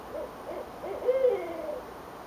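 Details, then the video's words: Owls calling back and forth on a January 8, 2012 evening in Richmond, Virginia, heard from a porch above the James River; a rhythmic run of low, wavering hoots, the strongest and longest in mid-clip, then trailing off. "Owls Calling"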